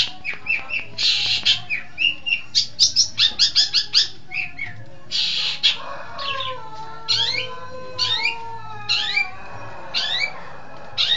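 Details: Caged long-tailed shrike from East Java singing a varied medley: rapid scratchy chips, then clearer rising whistles and sweeping slurred notes, mixed and mimic-like, over a low hum.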